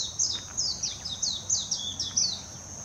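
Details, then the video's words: Warbling white-eye in Hashimoto city, Wakayama, Japan, late June 2021, delivering a quick, high-pitched chattering warble of descending slurs in bursts about three per second, over a steady background hiss. "メジロ さえずり 姿 鳴き声 warbling white-eye song"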